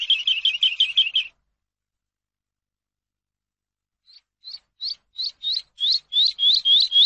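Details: Teaching song of the Eurasian skylark for captive birds: a dense trill of high notes stops abruptly. After three seconds of silence, rising, evenly spaced chirps return, growing steadily louder.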